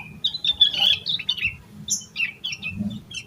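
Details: Excited, fully vocal yellow-vented bulbul song packed with fill-in phrases, played to spur other bulbuls into singing; bright chattering bursts and short whistled slurs come in quick, uneven runs, with a faint low hum underneath.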